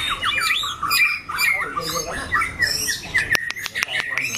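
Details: White-rumped shama kept for singing contests, with a loud, harsh voice. It gives a run of looping slurred whistles, then sharp clicking snaps alongside short whistled notes.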